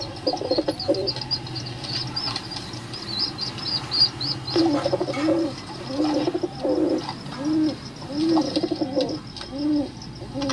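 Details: Pigeons cooing: after a few quieter seconds, a run of low, rolling coos comes in, each rising and falling, repeated roughly every second, with faint high chirps from other birds above them.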